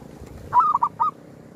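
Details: Zebra dove used as a lure while hunting wild doves at a cemetery. One loud, clear phrase of three soft, gently rolling cooing notes stands out against a quiet background.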